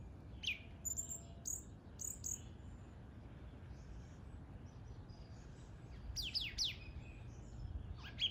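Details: A bird gives scattered high, thin chirps and quick downward-sweeping whistles, in bursts near the start and again toward the end, with a quiet gap between them and steady low background noise throughout.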